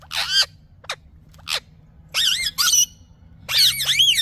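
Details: Green parrot gives short thin squeaks followed by longer, looping, tonal screeches that dip and rise, over a low steady hum.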